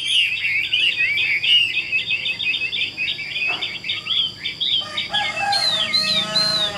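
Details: Caged, largely tame Chinese hwamei singing a long, quick stream of warbled notes, pausing for a short whistle, then finishing with loud looping slurred whistles.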